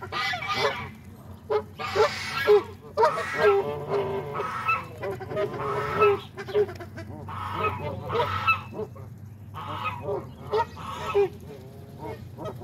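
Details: Many waterfowl on a pond at a Saturday morning feed keep up a raucous honking, loud bursts coming roughly every two seconds among constant chatter, above a low rumbling background.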